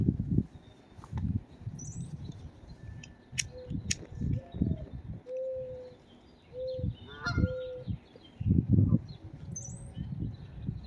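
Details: Geese in a garden with a cat present give a few short, nasal honks, some drawn out, over heavy low rumbling noise, with faint high chirps from a small bird.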